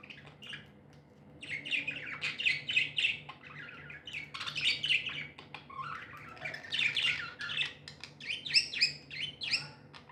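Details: Tame budgerigars, said to be happy, keep up continuous chattering of rapid scratchy chirps and rising twitters, overlapping voices indoors.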